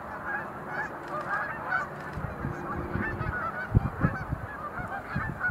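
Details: Sandhill cranes making display leaps at the Montezuma National Wildlife Refuge visitor center in November 2020; many overlapping rolling, honking calls from the flock run throughout, with low rumbling thumps of wind or handling.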